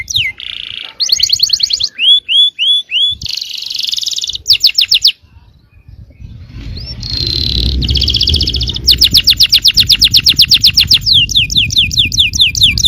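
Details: Yellow canary singing to provoke other canaries into song: fast high trills, a run of down-slurred whistles and buzzy rolls, a brief pause midway, then long rapid trills over a low background rumble.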